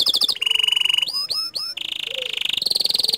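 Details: Canary in loud, continuous song: a fast pulsed trill, three upward-hooked whistles, then long, even rolling trills stepping higher in pitch.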